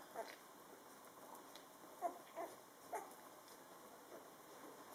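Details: Two-week-old Dutch Partridge Dog puppies, born 8 March 2013 and learning to walk, give a few thin, high squeaks and whimpers, short and spaced about a second apart, over a faint steady hum.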